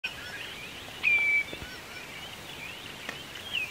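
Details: A Common redshank on the Yazva River, Perm Krai, Russia, gives one clear, high, slightly falling whistled note, with a fainter note near the end, over a steady hiss of background sound.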